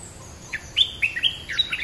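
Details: Streak-eared bulbul singing in a territorial contest against a dominant local bird, a lure recording: quick string of clear chirps and slurred whistled notes, growing busier toward the end, with a thin high background tone.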